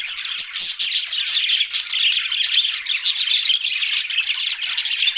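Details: Budgerigars, kept birds, chattering continuously as a group: dense overlapping warbles, chirps and squawks, steady and unbroken throughout with no pauses.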